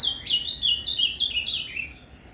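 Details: Azulão, or ultramarine grosbeak, giving a Paraná canto fibra phrase meant to stir up a captive male: rapid chain of bright, rolling whistled notes stepping gradually downward, then trailing off into quiet.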